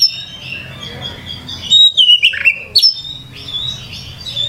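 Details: Oriental magpie-robin (kacer) song: soft faint warbling at first, then a loud burst of sharp whistled notes and a dipping slurred phrase before quieter twittering resumes.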